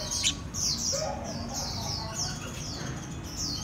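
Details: Red-whiskered bulbul, 'eagle gene' line, practising eating cricket bellies; bright high chirps sliding downward, repeated several times a second, with a lower warble near one second and faint hum.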